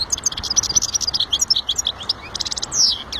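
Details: Lively European goldfinch song, tightly packed high twittering notes and rapid chirps, with a short buzzy trill near the close, continuous through the whole short stretch.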